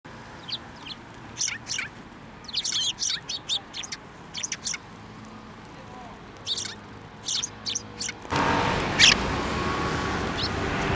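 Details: Sparrows flying onto a person's hand to be fed at a Tenmangu shrine on 15 December 2023: short sharp high chirps in irregular bursts, then a louder broadband rustling noise near the end.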